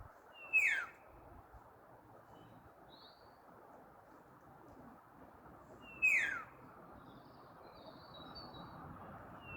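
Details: Common starling calling twice, about five seconds apart. Each call is a sharp whistle sliding steeply downward, with faint higher notes in between.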